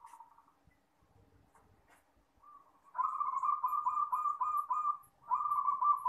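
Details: Local zebra dove (perkutut lokal) singing at night: after a few faint coos, a loud, rapid, rolling trilled cooing starts about halfway through, breaks off briefly, then resumes, all on one low steady pitch.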